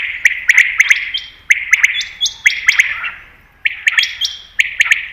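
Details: Common quail (batair) calling as a hunting lure: clipped three-note phrases repeated every second or so, bright and sharply accented, trailing into echoes, over a faint low hum.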